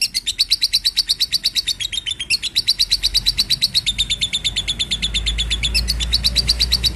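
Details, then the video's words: Lovebird singing for the training of other birds: long series of rapid, high, clipped chirps, about six each second. The pitch shifts slightly between runs, and there is a brief break near the middle. A low rumble enters toward the end. "Pemasteran love bird"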